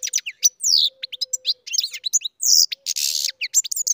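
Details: European goldfinch bred in captivity, singing a hurried jumble of bright chirps, falling slurred whistles and two brief buzzy rasps, over a soft low hum.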